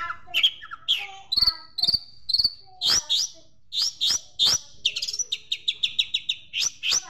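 A Long-tailed Shrike sings a fast, varied string of sharp chirps and sparrow-like chips, some in quick stuttering runs, high-pitched and clear with almost no background noise.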